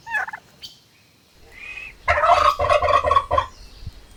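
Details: Farm turkey gobble: a loud, rapid, rattling burst of throaty pulses lasting about a second and a half, preceded by a brief softer call and a quiet high squeak.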